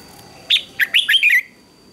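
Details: Red-whiskered bulbul in a morning singing contest giving one quick phrase of five clear, sliding whistled notes, rising and falling, lasting under a second over a faint steady background tone.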